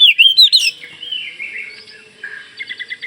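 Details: Kalimantan Oriental magpie-robin in vigorous song meant to get other magpie-robins answering; a few loud rich whistles open, fading into soft warbling and a closing series of quick, evenly spaced pulsed notes.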